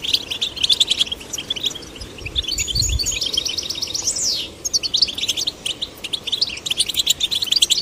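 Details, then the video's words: Male and female goldfinch chicks being encouraged to sing. Rapid high twittering chirps, with a brief buzzy descending sweep midway and dense overlapping notes throughout. "Stimulating male and female goldfinch chicks to sing birds chirping"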